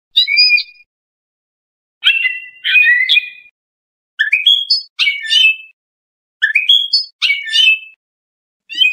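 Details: Trained Iranian European goldfinch giving Lor-style training song for juvenile songbirds: scratchy, twittering bursts of mixed chirps and whistles, separated by pauses of roughly half a second to a second, otherwise silent.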